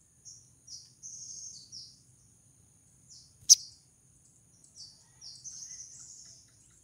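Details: Female crimson sunbird in breeding condition calling to attract a male: short, very high thin chips and slurred notes, some grouped in brief runs, with a single sharp click midway and a faint low hum beneath.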